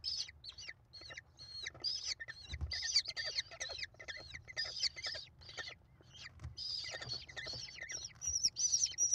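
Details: Five hungry American kestrel chicks crying as their mother feeds them, nest recorded 28 May 2021; dense high, squealing, chattering calls in rapid overlapping series, swelling louder in bursts, with low background hum.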